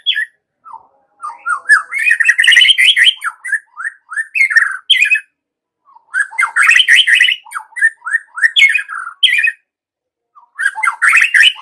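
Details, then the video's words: White-rumped shama singing, used as a lure to stir young forest-caught and pastol birds into full song: long bursts of rapid, varied whistled and chattering phrases at mid-high pitch, broken by short pauses, with no other sounds. "Pancingan Murai Batu MUDA HUTAN dan PASTOL agar GACOR NGEPLONG"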